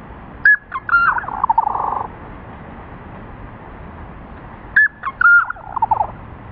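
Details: Black-capped chickadee at a local trail giving its scolding call at another chickadee, replayed slowed and deepened: two phrases of sharp introductory notes then a run of buzzy, falling notes, about four seconds apart.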